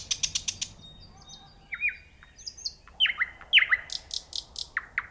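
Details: Softer nightingale song from a distance: a quick run of clicking notes, then drawn-out whistles. Sharp downward-swooping notes come next, with a faint background hiss.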